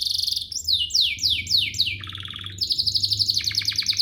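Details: Domestic canary (Serinus canaria domestica) song meant to prompt other canaries to sing: rapid high trills, a series of descending slurred whistles, then a lower buzzy roll and quick repeated chips.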